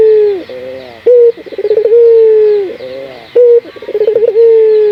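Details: Barbary dove (puter lokal) used as a lure to train other doves to sing, cooing in repeated phrases: an abrupt short note, rapid stuttering pulses, then a sustained coo that slides down at its end.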